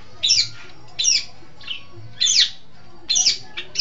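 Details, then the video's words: Long-tailed shrike tutor song: scratchy, harsh high-pitched bursts delivered in uneven pairs and singles, separated by short quiet gaps, with a faint low hum underneath. "Masteran Suara Pentet Cendet"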